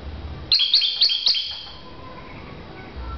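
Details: Lovebird in a bird-to-bird chirping contest giving four quick, high, sharp chirps in under a second, then quiet.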